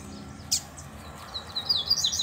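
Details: Double-collared seedeater, caged, in a singing contest with a loose male: after a sharp click, a moderately loud run of high, quick warbled notes builds toward the end, with faint low hum behind.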